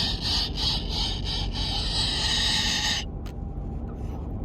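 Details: A male Moluccan cockatoo in a travel cage, hungry, thirsty and needing to poop after about five and a half hours' car ride, gives a harsh, rasping baby-bird cry the owner thinks is regression, in quick pulses, then one rasp, over engine rumble.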